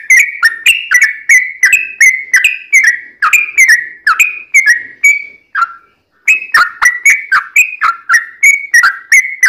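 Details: Sooty-headed bulbul song used as a lure to prompt other birds to sing: loud, rapid series of short whistled notes between mid and high pitch, each sliding down, repeated about three per second with one brief pause.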